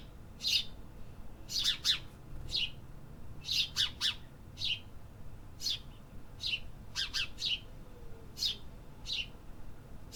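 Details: City birds singing in an urban setting: quick, high chirps in irregular bursts, often doubled or tripled, with a steady low background rumble.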